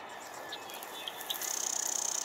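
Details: A Marsh Wren sings at Moonglow Dairy, Moss Landing, California: a few short introductory notes, then a fast, high, buzzy rattling trill of rapid, evenly spaced pulses over a steady hiss of background noise.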